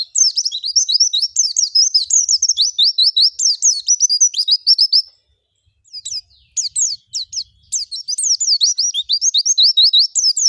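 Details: Lure recording of oriental white-eye song to prompt white-eyes to sing: long bright chattering strings of quick upslurred and downslurred high notes, broken by a brief silence midway before the twittering resumes.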